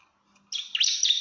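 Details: Bar-winged prinia calling to challenge a rival, given in rapid 'shooting' bursts: after a short silence, a dense run of high, scratchy chirps and trills, rising and falling quickly, with no other sounds.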